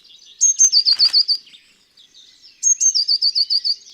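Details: Eurasian blue tit (Cyanistes caeruleus) giving very high contact calls: two bursts about two seconds apart, each a couple of very high, thin notes followed by a quick run of six slightly lower ones.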